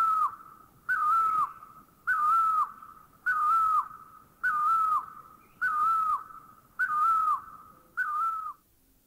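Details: Great barbet (Psilopogon virens) giving a loud, mellow whistled note that wavers then drops, repeated about once a second over quiet background; recorded in Thai national parks (Khao Yai, Doi Inthanon, Doi Suthep-Pui, Chae Son).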